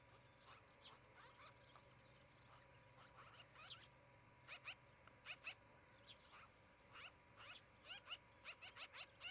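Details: Osprey at a nest near Charlo, Montana, on 23 July 2018, picked up by a nest camera. A bird gives a rapid series of short, sharp whistled chirps in clustered bursts that grow louder and closer together toward the end, over a steady low hum.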